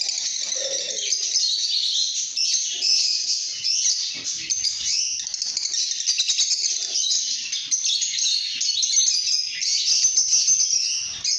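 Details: Steady, bright lovebird chirping that never pauses, a thick layer of shrill twittering and squeaks with rapid fluttering notes, fairly even in loudness from start to finish.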